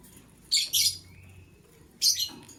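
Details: Morning chirping from a white lovebird of a pair: shrill doubled chirps, two quick high bursts then another doubled burst a second and a half later, with a faint thin whistle between.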